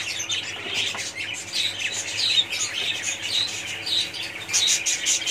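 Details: A budgerigar colony chattering together: a dense, continuous mix of warbled chirps, squawks and short whistles from many birds at once, with brief louder bursts near the start and end.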